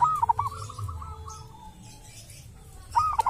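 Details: Zebra dove, a local wild bird from a sacred tomb with its own distinctive voice, opens with a loud clipped cooing phrase, trails off into soft rolling coos, then starts the phrase again near the end. Low rumble underneath.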